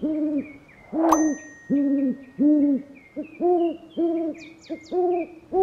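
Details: Owl repeating short, even, hollow hoots roughly once or twice a second in a steady series. One sharp click sounds early, with soft high bird calls in the background.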